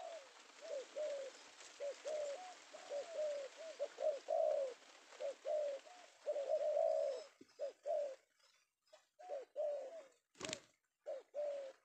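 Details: A male spotted dove from Indonesia, caught that afternoon and valued as a lure bird, repeats soft hollow coos in steady phrases. A hiss of background noise fades halfway through, and one sharp click is heard near the end.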